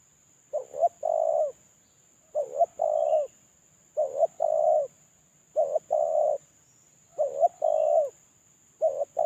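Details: Spotted dove calling alone while moulting, used as a lure call: six regular two-part coos roughly every one and a half seconds, each a short quavering note then a longer even coo, over a steady faint high whine.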